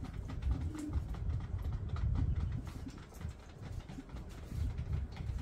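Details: Male Common Bronzewing displaying to a female in a suburban yard, recorded on a phone: continuous low, grumbling growls with an uneven rhythm and a brief, soft, low hum near the start.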